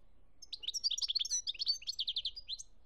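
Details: European goldfinch from Algeria, 2017, delivering a brisk, tinkling twittered phrase of varied chirps and trilled notes lasting about two seconds.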